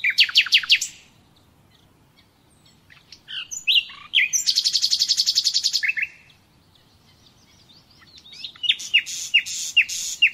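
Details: Common nightingale song used for training captive birds: rapid repeated descending notes, a long fast buzzy trill around the middle, then a series of sharp clicking and whistled phrases after a pause.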